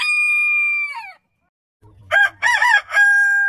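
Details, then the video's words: Rooster crowing, from a compilation of crows from many heritage chicken breeds: a long, level, harmonic crow fades out, and after a short silence a new crow starts with choppy, pulsing syllables, then settles into a sustained tone. "Chicken Crowing"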